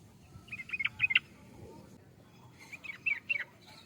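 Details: Sooty-headed bulbul (trucukan) singing two short bursts of quick, chirpy, warbled notes separated by a second of quiet, against a soft rumbling background.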